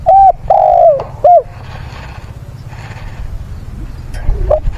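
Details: Spotted dove used as a decoy to lure and provoke wild doves, singing a fighting song and calling mates on 6/9: three loud mellow coos open the clip, then low rumbling background noise and a faint coo near the end.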